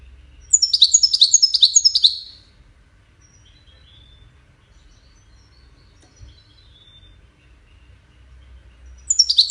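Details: European goldfinch song in the Wedani style, played for chicks to learn from: a rapid, buzzy trill of high twittering notes lasts about two seconds, then silence, and another burst starts at the end.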